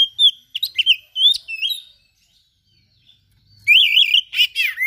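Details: Oriental magpie-robin in energetic song with mimicked material: a rapid run of sharp whistled notes and slurred phrases, a pause, then loud warbling wavering whistles and a descending buzzy note.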